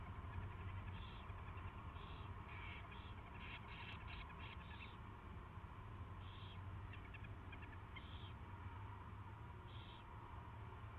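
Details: Owl at its first feeding, 24 February 2016, afternoon: a burst of quick raspy and clicking high notes, then spaced single calls about every 1.5 seconds over a low hum.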